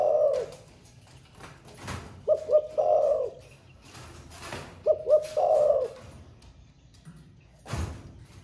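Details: Cooing 'thổ pha' song of a caged spotted dove that has just started singing and coos all day: a trailing coo, then two full phrases of two short hoots and a long burry note, about two-and-a-half seconds apart, with knocks.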